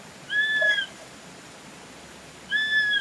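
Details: Swainson's flycatcher giving two clear, plaintive whistled notes, each slightly arched and with bright overtones, about two seconds apart over a quiet, steady background hiss.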